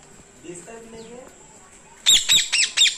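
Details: Two parrots in a cage in a village; after a quiet stretch with soft background noise, four sharp, screechy squawks break out close together at the end.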